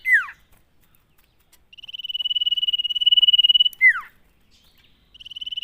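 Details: Lively common iora song, meant to spur other ioras to sing: a steady, rapidly pulsed high whistle held for two seconds, bracketed by sharp downward-sweeping notes, with the next whistle starting at the end.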